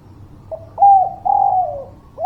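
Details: Loud spotted dove song intended to lure reluctant birds into calling: a soft introductory note, then two long smooth coos, the second sagging downward at its end, with another coo beginning just as it cuts off.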